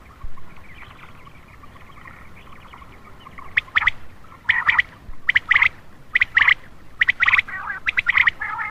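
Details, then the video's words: Common quail call for luring males at night. A faint murmur comes first, then sharp multi-note bursts set in and repeat at roughly one-second intervals, growing denser toward the end. "Attractive common quail for male part 6/ Batair Ka Bulara rat Ka lea"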